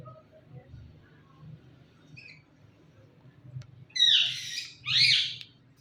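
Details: A talking rose-ringed parakeet says "Mithu Mithu" in two harsh, raspy word-like bursts about a second apart, high and nasal, over a low steady hum.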